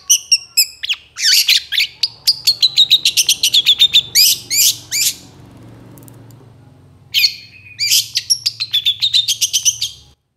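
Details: Varied, rapid long-tailed shrike song used to tutor other birds: dense bursts of sharp ticks and chirps with buzzy trills, a quiet gap of about a second, then another fast chattering run.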